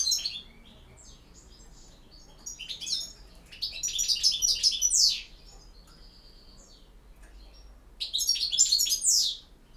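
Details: Campero-style song of a European goldfinch, with quick liquid twitters and sharp downslurred notes in three bursts, each about one to two seconds long, set apart by quiet gaps.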